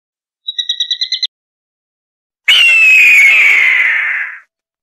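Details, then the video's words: Eagle gives a quick high trill of about seven notes, then a long, harsh, slowly falling scream lasting two seconds; no other sounds are heard. "Suara Burung Elang"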